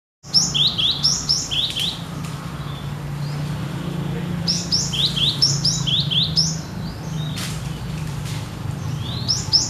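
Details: Cinereous tit (gelatik batu) singing steadily, said to sound as in the wild: bursts of quick paired high notes, each sliding down, repeated rapidly for about two seconds, a pause, then another burst, over a steady low hum.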